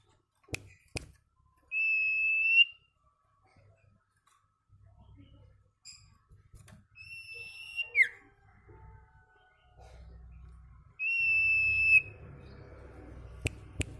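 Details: Sirtu singing in the ceplekan style, recorded for training caged birds: three long, steady, pure whistles, each held about a second and ending in a falling slur, separated by quiet gaps with faint low rumbling and clicks.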